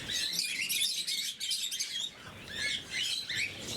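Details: Morning feeding of blue mutation lovebirds, where a group keeps up rapid high chirping, many short sharp notes per second with brief dips, overlapping squeaky twitters throughout.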